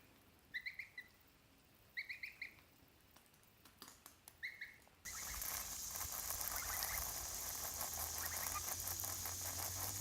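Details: Pet geese, three kept together, giving bursts of two or three quick nasal notes every second or so for about five seconds, then a loud rushing, hissing noise drowns everything out.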